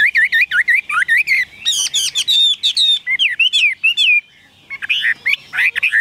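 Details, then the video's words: Caged Chinese hwamei singing a rich, rapid run of slurred whistled notes. Each phrase shifts in pitch and tone, with a brief pause near the middle before loud, looping whistles resume. No other sounds are heard. "Chim họa mi đẹp"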